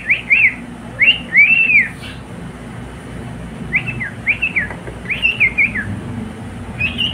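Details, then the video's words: Singing cockatiel, a pet bird, gives short arched whistles in quick pairs and triplets, some rising then falling, spaced by quiet gaps, over faint low background rumble. "COCKATIEL singing beautiful song"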